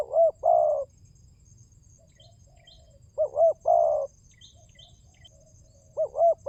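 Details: Spotted dove lure cooing, called pancingan, to make birds call: double coo plus long mellow croon, given three times about three seconds apart, with soft high chirping from other small birds in between.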